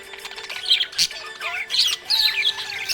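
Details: Budgerigar in a happy mood gives short bursts of buzzy chatter and high squeaky chirps, with one brief whistled glide, over quiet background.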